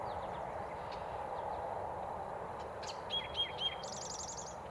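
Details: Eastern towhee near Recway and Lindsay-Parsons, East Ithaca, on 8 May 2020, singing a "drink your tea" variant: one clear whistle, then a rapid high trill, partly masked by steady low rushing background noise.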